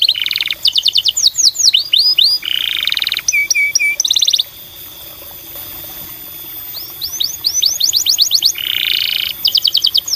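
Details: Canary song played as a lure to stimulate other canaries to sing: bursts of rapid, bright upsweeping notes, buzzy trills and short rolled phrases, with a quieter pause midway before the fast repeated notes resume.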